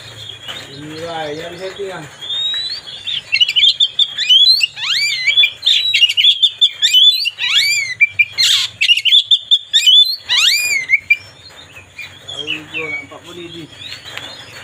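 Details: White-rumped shama singing to provoke another bird: a long, energetic outpouring of rapid whistles, sharp upslurs and chattering notes, repeated in fast pulses for about eight seconds, starting and ending with softer warbles.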